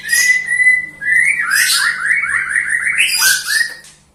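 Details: White-rumped shama singing melodiously: a clear steady whistle, then a rising and falling run of quick slurred whistled notes with a harsh rasp mixed in, over a faint low hum.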